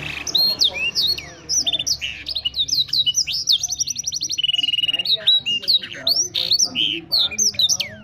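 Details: Canary from Wiradesa, Pekalongan, Indonesia, singing in a blackthroat-like style: varied loud whistled notes and upswept slurs, a steady buzzy trill in the middle, then more rapid sweeping whistles, over a faint low background hum.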